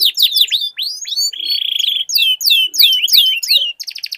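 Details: Canaries in a singing duel, used as a lure to get a silent canary singing; bright whistled downward-sweeping notes alternate with a fast buzzy trill, then rapid repeated chirps, all high-pitched with no other sounds.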